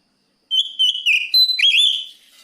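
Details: Oriental magpie-robin, locally kacer, singing to call a rival: a loud clear whistled phrase with sliding, wavering notes that rise and fall, ending in a complex warbled flourish.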